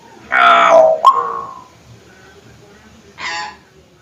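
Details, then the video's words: Hill myna calling loudly, a harsh broad burst followed by a sharp click and a falling tail, then after a pause a second short rasping burst. "pancingan suara burung beo"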